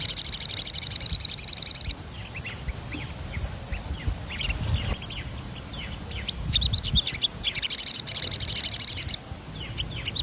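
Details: Crimson sunbird's chatty rolling song, played to stir other birds into singing: two long, bright, rapid high-pitched trills at the start and near the end, with scattered thin chips between them.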